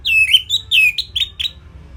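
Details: Orange-headed thrush with a simple training song for songbirds: a quick string of about seven bright, slurred whistles, each bending down then up, sung in a rapid run before falling quiet.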